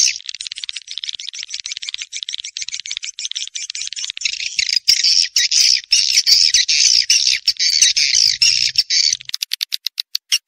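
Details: Edible-nest swiftlet call meant to attract birds during the rainy-season breeding period: a fast, steady train of high clicks that thickens into a loud, continuous buzzing chatter, then breaks into separate sharp ticks.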